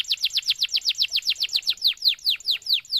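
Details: Canary in long, full song, played as a tutor for other canaries: a quick run of sharply down-slurred whistled notes, about five per second, spacing out slightly as it goes.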